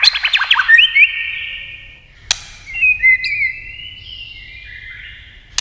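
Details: Many-voiced contest singing from a white-rumped shama: a rapid cluster of fast whistled notes, then softer drawn-out sliding whistles with a sharp click in the middle and one at the end.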